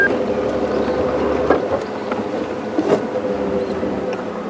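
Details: A vehicle engine rumbles steadily during a morning safari drive at Djuma Game Reserve, with a few faint knocks and no clear animal calls.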